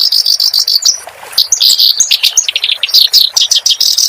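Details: Clamorous reed warbler song for tutoring caged songbirds. A dense, continuous run of high, scratchy chirps and quick slurred notes that varies constantly.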